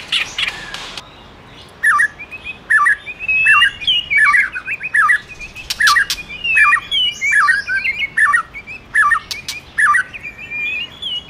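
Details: A male white-rumped shama sings while stimulated by a female: a noisy start, then a run of quick whistled phrases of looping, warbling notes, with a few sharp clicks and higher squeaky notes mixed in.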